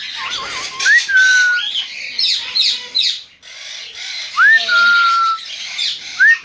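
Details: King parrot giving clear whistles: each note slides sharply upward, then holds a long, level, slightly falling tone. The whistles repeat several times, mixed with harsher squawky chatter and a brief warbling note at the start.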